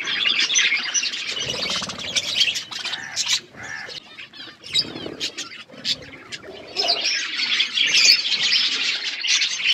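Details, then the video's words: Chattering flock of wild parrots with shrill, high calls crowding together. The calls swell loud at the start and end, with a softer, patchier middle section. "Parrot bird natural sounds | wild parrot sound"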